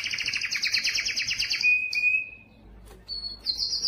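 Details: Yellow canary singing a fast, bright rolling trill for about a second and a half, then holding a steady thin whistle, falling briefly silent, and ending with short high whistled notes.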